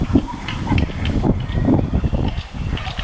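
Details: At a private sanctuary in Arkansas during the nesting season, two male Roseate Spoonbills fight, clattering their bills in dry, wooden bursts over a low rumble of wind and distant voices.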